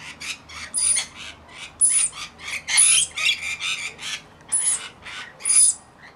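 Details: Rainbow Lorikeets, part of a roughly 40-strong mixed flock caring for one young bird: dense, chattering screeches overlapping almost continuously, with sharper shrill peaks every second or so.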